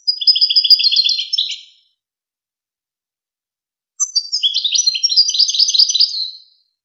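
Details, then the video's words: European goldfinch singing the celebrated Wakr Touzgha tutor song meant for chicks and hybrids: a tinkling, layered twitter, then after a two-second gap a longer, denser run of rapid chirps and buzzy trills, no other sounds. "شريط وكر توزغة الشهير لتسميع فراخ الحسون و الهجين"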